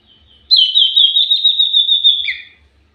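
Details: Lure recording of a lively common iora: a long, high, steady whistled trill that quivers rapidly for about two seconds, ending with a short lower buzzy note; the background is otherwise quiet.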